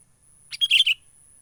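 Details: Sooty-headed bulbul from the wild, menggaruda lure call used in trapping: a single quick phrase of four bright, slurred chirps falling slightly at the end, with a faint high hiss behind.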